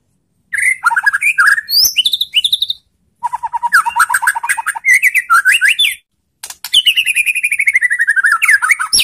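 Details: White-rumped shama in full provocation song to goad other shamas into replying: rapid varied whistles jumping between pitches, steady ticking runs, and a long trill of quick repeated notes slowly dropping in pitch.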